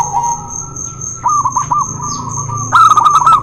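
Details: Song of zebra doves, local versus white, meant as therapy for doves that will not sing: a low coo, a run of short bouncing notes, then a louder rapid burst, under a continuous high whine.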